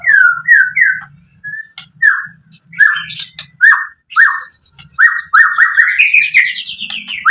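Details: White-rumped shama singing to draw an answer from other shamas: repeated loud downslurred whistles about every half second, with high buzzy notes in between and a steady low hum in the background.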